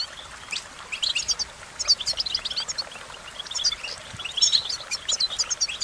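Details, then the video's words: Sweet, jumbled twittering from an American goldfinch, with irregular bursts of high chirps separated by brief quieter gaps. "Goldfinch Melodies: A Collection of the Most Beautiful Songs"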